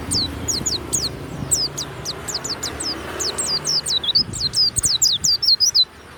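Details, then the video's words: Warbling white-eye, a kept pleci of the Banyuwangi type, singing loudly in the ngeplong style. High, thin downslurred whistled notes come in quick irregular runs. They grow denser and louder toward the end, over a faint low hum. "SUARA PLECI YANG MANTAP"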